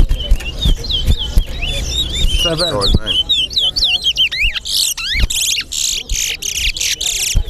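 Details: Towa towa in a singing competition: fast chains of whistled, swooping notes that grow into quick rising sweeps. Loud bursts and people's voices break in near the end.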